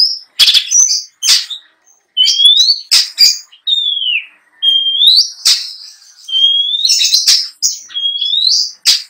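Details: Long-tailed shrike, a trophy-winning contest bird, singing an energetic song full of mimicked fill material: clear whistled slurs that rise or dip, broken up by sharp clicks and short harsh bursts, with brief pauses between phrases.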